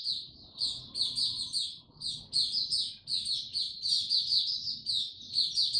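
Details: On a warm, very humid day, 26 March 2022, a white-eye delivers a long, continuous high-pitched twittering warble, notes tumbling rapidly, with soft low background hum.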